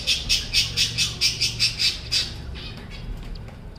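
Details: Cockatiel kept in a cage, the pair having newly hatched a chick; a quick run of about eight rasping squawks, evenly spaced around four per second, then fading into quiet room hum.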